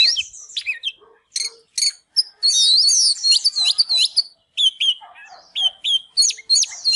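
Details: Oriental magpie-robin, excited and dancing, sings quick sharp chips followed by a sustained warbling run, then clear repeated downslurred whistles.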